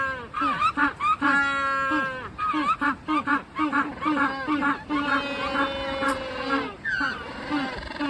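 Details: Magellanic penguins at Joetsu City Aquatic Museum Umigatari, Japan, suddenly noisy after lounging. Loud donkey-like braying: rapid pulsed honks alternating with long drawn-out harmonic notes, repeated over several seconds.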